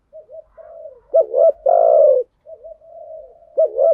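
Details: Low cooing of spotted doves, male and female, played as a lure in thúc gù and gáy gọi styles to stimulate decoy birds; soft murmured coos, then a sharp double note and a long harsh held coo, another double note ending.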